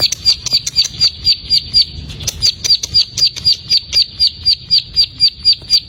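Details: Plain prinia song aimed at getting an untrained (bahan) bird to sing: a high, sharp note repeated evenly about four times per second for the whole stretch, each note a quick bright chip with a buzzy edge; faint low background rumble.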